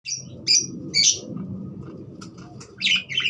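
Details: Budgerigar, a parakeet, giving short bright chirps in bursts high in pitch, separated by quieter gaps, over a low steady background hum.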